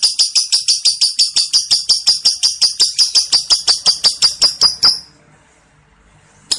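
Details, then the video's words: Pet lovebird in long ngekek song: a fast run of sharp, high, buzzy chattering notes repeated about three times a second for five seconds, then a short silence before a new note starts. "Pancingan - Love Bird Ngekek Ngetik Panjang"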